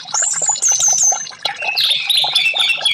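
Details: Varied orange-headed thrush song for stimulating silent caged birds: a clear high whistle held briefly, a short dip in volume, then a tumbling sequence of warbled and scratchy notes.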